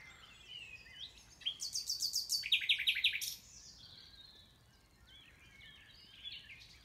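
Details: A Common Nightingale sings at Knepp Estate on 20 May 2018: a loud two-second burst of rapid, repeated high notes, then a run of sharp, fast pulses, with other birds chirping faintly behind.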